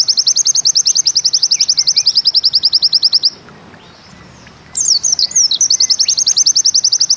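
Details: Pleci (white-eye) singing in the bustomi style with a 'nembak ziperrr' burst: a fast, even trill of high buzzy notes for about three seconds, a short pause, then sharp twittering phrases before the rapid trill resumes.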